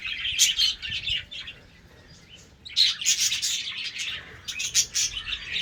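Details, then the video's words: Several budgerigars in a colony breeding setup, playing in the morning, give dense bursts of high, scratchy chirps and twitters, a quiet pause of about a second and a half, then renewed overlapping chatter. "Budgies sounds in HD quality| PART 1 SOUNDS AT MORNING"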